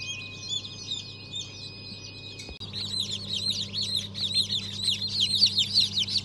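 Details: Newly hatched chicks of Habeş, Sultan and İspenç breeds, December 2022, cheeping in a crowded chorus of sharp falling peeps that grows louder after a brief click midway; low hum throughout.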